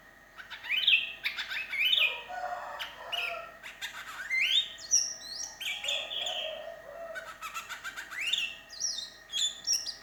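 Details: Sooty-headed bulbul, lonely and calling for companions, as a lure: busy run of chirps, slurred whistles and sharp squeaky notes, with a steady electrical hum and room noise behind.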